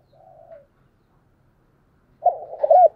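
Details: Spotted dove giving a morning lure call meant to draw wild doves close: a brief soft coo, a pause, then a louder bubbling, throaty coo at the end.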